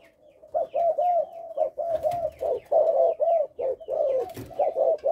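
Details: Tested caged Spotted Dove father of Malaysian stock cooing in the stutter style with three lead notes, a dense run of soft, low, slightly wavering hoots packed closely together, with faint clicks behind.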